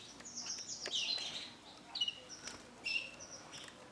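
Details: Female canary of the Isabel colour variety; short high chirps and thin whistled notes come in scattered bursts, with faint background rustling.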